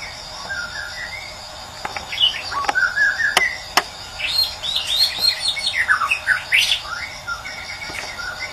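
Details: White-rumped shama singing in the morning, a lure for birds that have gone quiet: scattered whistles building into a dense burst of swooping notes, with a few sharp clicks and steady hiss.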